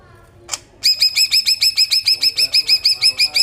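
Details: Greater green leafbird, luxurious besetan song used to lure and stimulate young birds; one sharp note, then an even run of about sixteen clear ringing notes repeated rapidly.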